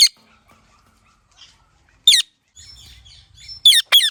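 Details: Ringneck parrot giving sharp, high screechy chirps: one at the start, another near two seconds, then two quick ones close together at the end, with quiet gaps between.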